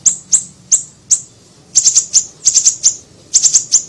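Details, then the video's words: Lure recording of a small siri-siri bird: bright, very high chips, single at first, then in rapid clusters of two to four. "MASTERAN PANCINGAN PIKAT SUARA BURUNG SIRI SIRI KECIL"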